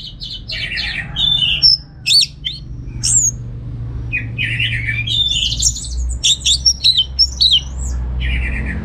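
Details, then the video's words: An orange-headed thrush kept at home in Singaraja, Bali, sings a varied, rich mix of buzzy trills and sharp whistled notes in irregular bursts, used as a master song, over a faint low hum. "Suara ANIS MERAH Berkicau"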